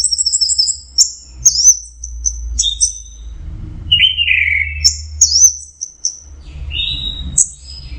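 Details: Orange-headed thrush delivering teler song, opening with rapid high repeated notes, then buzzy rasping phrases and sliding whistles over a low hum.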